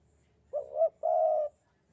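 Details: Single clear coo of a Javanese spotted dove, 'sandungan kuk 2' type: a short hitched two-part note, a slight pause, then a half-second, even, throaty coo, with almost no background noise.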